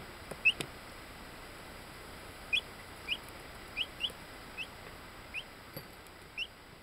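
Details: Buff black-laced bantam Orpington chicks aged ten days, Binzen, May 2013, giving thin rising peeps every half second or so, spaced irregularly, over constant hiss with a few clicks.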